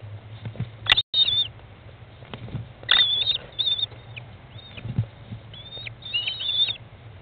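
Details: Nest-box American kestrel chicks, day 15, being fed by their mother on 20 May 2011 at 13:54; clusters of shrill, slightly quavering high calls repeat every second or so, with bumps and a sharp crack.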